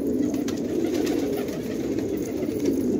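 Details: Village fighting tumbler pigeons of Khanabad, Afghanistan, cooing in a thick, continuous low hum of many voices, with faint taps in the background.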